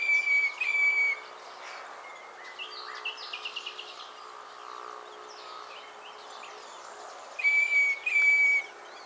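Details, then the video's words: Northern fiscal calling at Naro Moru River Lodge, Kenya: pairs of clear, level, high whistles with buzzy overtones, repeated at the start and again near the end, with quieter chirps from other birds and steady background hiss between. "Northern Fiscal Calling"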